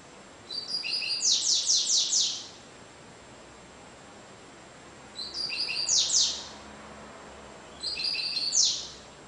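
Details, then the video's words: Double-collared seedeater (coleirinho) singing the cigano song style, a bird stated to average 30 songs per minute; three high, bright phrases of rapid buzzy trilled notes with short chirps, each about one to two seconds, separated by pauses, over quiet background hiss. "Coleirinho Cigano Sporophila caerulescens Coleiro Média de 30 cantos por minuto"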